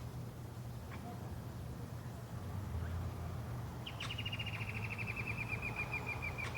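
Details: A crimson-crested woodpecker (Campephilus melanoleucos) gives a fast, dry rattling call lasting about three seconds and sagging slightly in pitch, over a steady low engine-like rumble.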